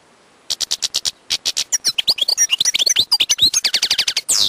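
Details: Wild European goldfinch song beginning with a steady series of repeated high notes, building into fast varied twittering with liquid whistles and dry rattles, ending on a buzzy note.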